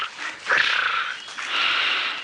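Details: White-browed scrub robin (Cercotrichas leucophrys) in dense, forest-like thicket on a sunrise safari drive, 18 February 2017, South African game reserve, gives two harsh, rasping alarm churrs, each half a second to a second long; southern boubous nearby; soft rustle.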